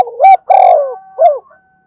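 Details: Lure call of a spotted dove: one phrase with a brief rising double note, a drawn-out falling coo, and a short clipped note at the end. No other sounds.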